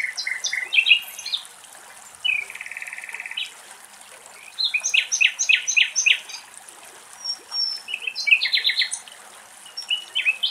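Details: Nightingales singing in Axios Delta National Park near Thessaloniki, Greece. The song runs in varied high phrases: short bright note groups, a rapid buzzy rattle, and clusters of sharp repeated chirps with brief pauses, over a soft natural background hiss.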